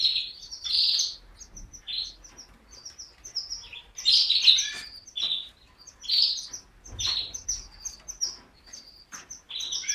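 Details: Canary giving a quieter, broken song of short high chirps and twittering bursts separated by brief pauses, with no other clear sounds.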